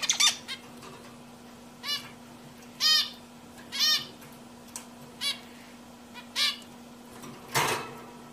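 A zebra finch gives short, nasal, toy-trumpet beeps, repeated every second or so over a steady low hum.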